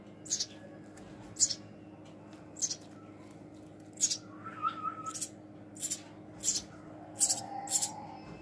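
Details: Baby house sparrow hand-fed indoors, giving short sharp high chirps at irregular intervals of about a second, with a faint whistled tone and soft room hum between calls.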